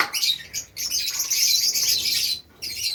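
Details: Kept Fischer's lovebirds at a home aviary in Safi, Morocco: a thick, rasping wash of high squeaky chatter runs for about two seconds, drops out, then picks up again.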